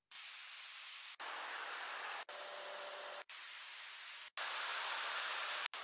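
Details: European Pied Flycatcher nocturnal flight calls: a sequence of short, thin, high notes, each separated by silence, some rising and some falling, over soft background hiss.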